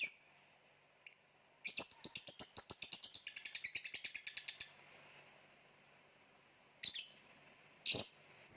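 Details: Lovebird bursting into a fast rattling run of some twenty-five high, buzzy chirps over about three seconds, slowing slightly, followed by silence and two separate shrill chirps.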